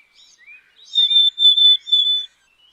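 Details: Black-capped chickadee giving a couple of soft rising chips, then three sustained, clear high whistles of nearly even pitch in quick succession. The background is quiet.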